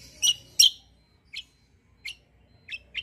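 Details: Fighter-grade kecial kombo white-eye suited as a tutor for other birds. Two loud sharp chirps, then single higher chirp notes spaced well apart in a quiet setting.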